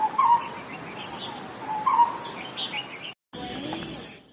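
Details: Lineated Barbet giving low, hollow two-part 'bul-tok' notes, the call that gives it its Indonesian name, repeated about every two seconds, with higher chirps from other birds and a brief cut partway through.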